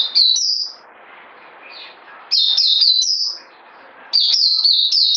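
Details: High, clear whistled phrases from a bird come in three short bursts, each a rapid string of falling slurred notes, separated by pauses filled with soft hiss.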